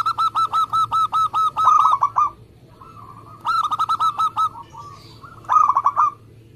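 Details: Local zebra dove kept for singing contests, delivering fast, tight song: a long series of evenly spaced, ringing coos, a softer connecting phrase, then two more rapid cooing bursts.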